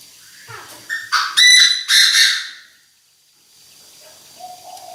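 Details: Chinese francolin kept as a decoy, calling the flock: a brief rising note leads into three loud, grating, ringing syllables, then silence and a faint whistled note near the end.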